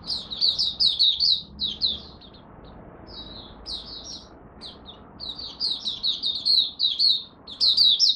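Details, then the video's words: Malaysian oriental white-eye opening its song for the first warm-up of the day, delivering dense runs of high, quick chirps in phrases separated by short gaps, with a faint low hum beneath. "Malaysian Mata Puteh Buka Sing"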